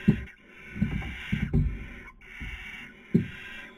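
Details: At a barn owl nest on webcam in Cabañeros National Park, Spain, breeding season 2020: drawn-out breathy hisses, each a second or longer, separated by brief gaps, over low bumps and scratching movement.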